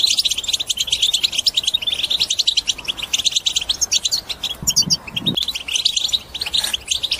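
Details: Goldfinch twittering (bitbita) to spur other birds into song: a steady, lively chatter of high, quick notes, with a few louder sharp chirps midway and a soft low thump.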